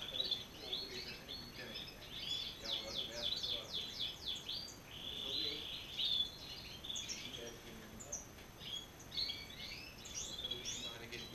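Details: Male and female European goldfinch put together as a pair; a lively, high-pitched twittering song of quick chattering notes, buzzy trills and short liquid phrases, sung in bursts with brief pauses.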